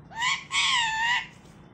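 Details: Talking Alexandrine parakeet saying "Ram Ram": two rasping, harmonically rich vocal bursts, a short one then a longer slightly falling one, in a quiet setting.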